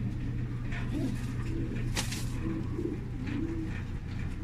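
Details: Black qatayef-type tumbler pigeons cooing softly in short, low, rolling phrases, partly buried under a constant low hum and scattered clicks and knocks.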